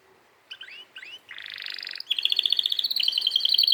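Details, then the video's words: Singing canary opens with two short curved whistles, moves into a dense buzzy trill, then a bright high chattering series of quick repeated notes growing louder. "canary singing video"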